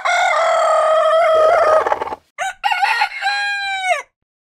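A rooster crows loudly: a long, harsh, drawn-out note lasting about two seconds, a brief pause, then a second rising-and-falling burst ending in a downward slur.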